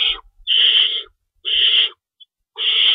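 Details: Owls at their nest at feeding time before dawn on March 25, 2012, rabbits stored as prey; three long, breathy hisses, each over half a second, separated by short silences.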